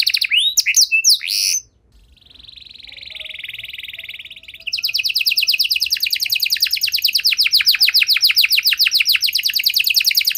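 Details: Canary singing to stimulate other canaries: a few sharp chirps, a short silence, a soft buzzy roll, then a long fast bright trill repeated steadily to the end.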